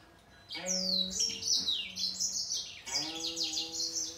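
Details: Grey singer finch song during a singing contest with a green singer: two bursts of bright descending whistles and fast chattering notes, accompanied by low held tones of music.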